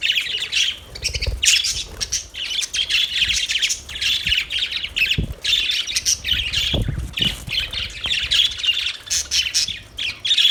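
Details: Several budgerigars chirping in a nonstop chattering warble of high, scratchy notes with quick twittering bursts and occasional low knocks underneath.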